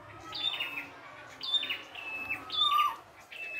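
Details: In its natural setting, a red-headed prinia sings lively phrases: a sharp high whistle falling into a rasping trill, three phrases in quick succession with a short pause between.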